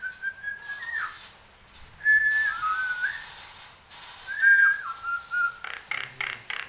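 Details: Nias hill myna in full song with head bobbing: three separate clear whistled phrases, each a held note dropping into a slurred tail, spaced by quiet gaps, ending in harsh rapid pulses.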